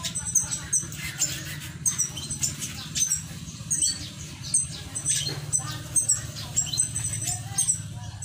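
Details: Many small finches in an aviary in Indonesia chatter together in high, thin, rapid chips and peeps, overlapping constantly, over a steady low hum.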